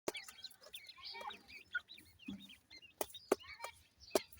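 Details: Grey francolin chicks giving thin, high chirping peeps, short rising and falling notes in quick, irregular bursts. Sharp tapping clicks and knocks sound between the calls.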